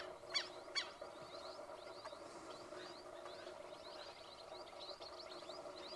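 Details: Flock of 73 Andean flamingos, some ringed, at Jacinto Aráuz, Santa Fe, on 17 July 2018: two loud, goose-like honks near the start over constant high, nasal chattering from many birds, with a steady low hum beneath.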